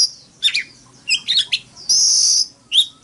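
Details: Oriental magpie-robin in fighting song, sung as a morning song: scattered sharp high chirps and slurred notes, then a long steady high whistle, another brief chirp at the end; quiet background.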